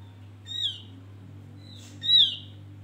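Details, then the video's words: Male Javan grey-throated white-eye giving its bait song to draw other birds: two clear, ringing, downslurred high whistles about one and a half seconds apart, with a faint hum below. "Opior Jawa pancingan"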